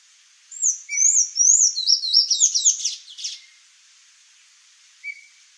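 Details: Sayaca tanager song: a quick, high, squeaky phrase of slurred rising and falling notes lasting under three seconds, with a soft lower whistle before and a single short note afterward over faint steady background hiss.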